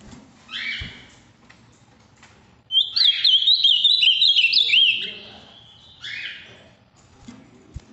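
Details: Large, vividly blue Ultramarine grosbeak from Minas Gerais, Brazil, singing firmly: a buzzy introductory note, then a fast, twisting run of clear whistles for about two seconds, ending with another buzzy note amid faint clicks.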